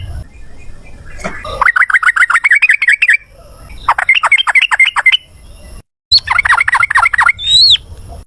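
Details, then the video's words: Yellow-vented bulbul in ropel ngalas style, a lure meant to make kept birds reply: three bursts of quick bright chattering notes, each running about a second and a half, separated by brief pauses. "suara trucukan gacor ROPEL NGALAS, pancingan trucukan agar bunyi jadikan burung trucuk nyaut gacor"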